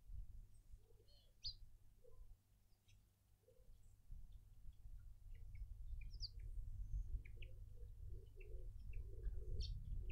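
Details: Burchell's coucal in a suburban garden in Pretoria, South Africa: a few low hooting notes early, then a quick run of soft, low, bubbling hoots from about six seconds, with scattered high chirps from other birds and low background rumble.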